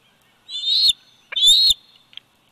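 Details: Bald eagle eaglet, 104 days old, at its nest in Big Bear Valley on 27 July 2019, captured by a nest camera: two high, shrill whistled notes, each slurring upward and ending abruptly, about a second apart.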